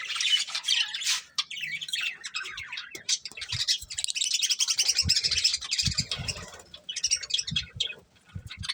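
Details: Breeding pair of pet budgerigars giving continuous warbling chatter, a dense run of rapid scratchy chirps and twitters with brief pauses, over some low knocking and rustle.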